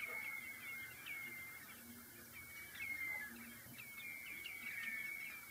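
Redshank giving a steady run of clear, high piping whistles with slight downward slurs, almost unbroken for several seconds, over faint background chatter.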